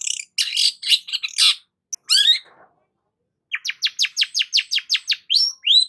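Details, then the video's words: Long-tailed shrike with a rough, scratchy jumble of notes and a falling slurred call, a short pause, then a quick even series of about ten sharp rising chirps. "BURUNG CENDET GACOR"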